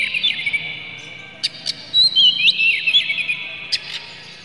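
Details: Oriental magpie-robin lure song, harsh clear material to make birds emotional and sing; steady high whistle with scattered clicks, then a loud cluster of bright slurred whistles near the middle before fading.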